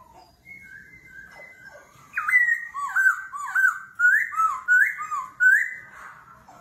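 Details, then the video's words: A laughingthrush in a singing contest, forest voice switching constantly: thin level whistles at first, then a lively run of looping, rising-and-falling whistled notes about three every two seconds. "Khướu hót giọng rừng - hót đấu - đảo giọng liên tục - kéo thuốc lào"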